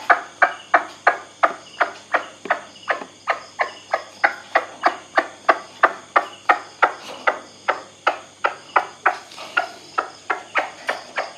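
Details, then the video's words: A kept white-breasted waterhen, whose voice is tested as a night-time lure for wild birds, gives a long series of loud, clipped kwak notes, roughly three per second and fairly even, over a thin constant high-pitched background hiss. "เสียงนกกวักผม แบบนี้ พอจะเอาไปต่อได้ไหมครับ"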